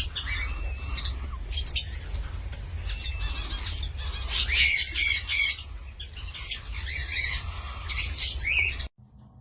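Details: Cockatiel (Sultan Papağanı) giving loose bursts of harsh squawks and shrill whistled notes, with a loud pair of ringing calls near the middle. A steady low rumble runs underneath, then the sound cuts off abruptly at the end.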